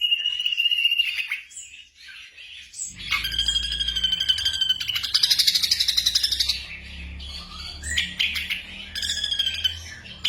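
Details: Black drongo singing, recorded for night-time training of caged songbirds: a thin whistled note, a pause, then a dense rush of harsh chattering and rattling trills with high squeaks; low rumbling hum in the background.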